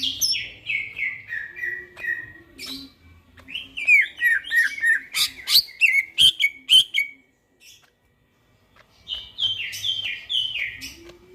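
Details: Greater green leafbird in energetic song late at night: a string of descending whistled notes, then dense, rapid chattering and clicking phrases, a brief silence, and more stepped whistles.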